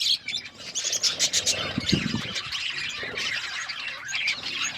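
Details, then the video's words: Pet budgerigars chirping while eating food: dense, busy high-pitched chirps and twitters run throughout, with a few louder clicks and pecking sounds around the second mark. "Budgies chirping sounds and eating food"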